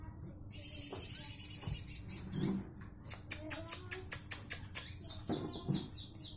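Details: Olive-backed sunbird singing vigorously in the dense, rapid-fire 'nembak rapat' style. Very high, thin trills come in tight bursts, then a run of sharp repeated notes about three per second, over a steady low hum.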